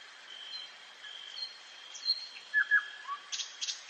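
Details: Common nightingale in a forest at night, giving separated whistles that rise to two loud paired notes and a low slur, ending in short scratchy bursts, with a steady high hum behind.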